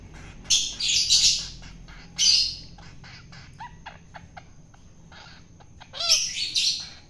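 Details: Wild-caught long-tailed shrike during hand-feeding to tame it: repeated harsh squawking rasps, interspersed with soft, clicky chips, ending in a louder double rasp.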